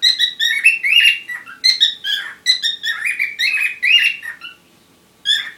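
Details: Parrots in courtship: a string of bright, squeaky chirps and short warbled phrases in quick bursts, some notes sliding upward, pausing briefly near the end before one last chirp.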